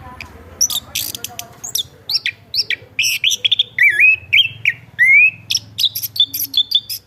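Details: Chestnut-capped thrush (Geokichla interpres), a singing cage bird, sings a lively, varied run of clear whistled phrases, some sliding and sustained, mixed with sharp chips, scratchy notes and short pauses throughout.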